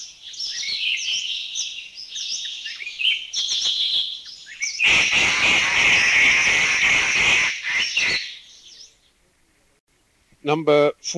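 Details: Grey Treepie, recorded in a Thai national park (Khao Yai, Doi Inthanon, Doi Suthep-Pui or Chae Son), giving high, squeaky notes, then a loud three-second burst of harsh, grating chatter, also heard flying overhead; a man's voice speaks briefly at the end.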